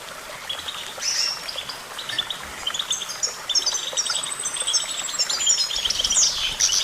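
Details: Goldfinch song that starts sparse and builds into a dense run of very high, sweet twitters and sliding whistles.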